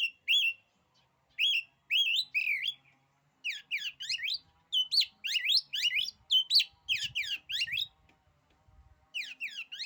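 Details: Oriental magpie-robin (kacer) singing a song that supposedly daunts rival kacer: a few separate whistled phrases, then a long run of rapid buzzy, scratchy notes with faint low thumps.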